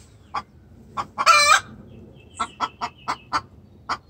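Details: Hen distress-calling to the rooster: a few spaced clucks, a loud, raspy squawk lasting a third of a second, then a quick run of sharp clucks.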